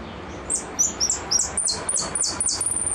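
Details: Goldfinch song of the repique type, a quick run of high, sharp descending notes that gathers pace into a rapid chattering sequence after a short quiet start.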